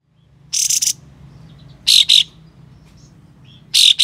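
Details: White-shouldered triller with its tail spread, giving harsh, sharp besetan phrases meant to provoke other trillers into tail display: three loud, rasping, hissy bursts, the first a close doubled shot, the next two spaced about 1.5 seconds apart, over low background hum.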